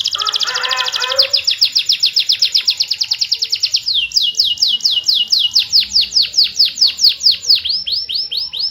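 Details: Lively canary song for coaxing silent canaries to answer: a brief warbled start, then a long fast trill of falling notes that gradually slows into broader, evenly spaced sweeps.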